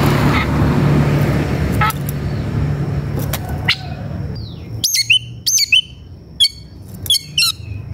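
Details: Oriental magpie-robin (kacer) in a fighting mood, seeking an opponent: after a stretch of loud engine-like noise, quick bright whistled notes and chirps come in a rapid cluster.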